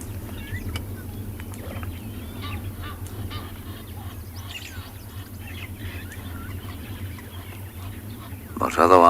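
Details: Egyptian geese shouting at each other in the background at Tswalu Kalahari Reserve, South Africa, 12 August, near a resting hippopotamus: harsh scattered honks ending in a loud braying burst, over a low rumble and a man talking.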